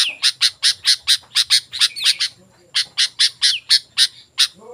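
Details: Sooty-headed bulbul lure sound for wild bulbuls: an even series of harsh, bright chips at about two per second, a short break, then the series resumes with a couple of slurred whistles.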